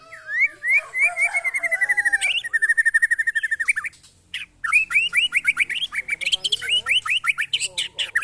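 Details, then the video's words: White-rumped shama tested alongside neighbours' birds sings energetically. A long run of fast, evenly repeated notes breaks off briefly, then bright, sharply slurred chirps resume at a rapid pace. "test mental burung murai batu"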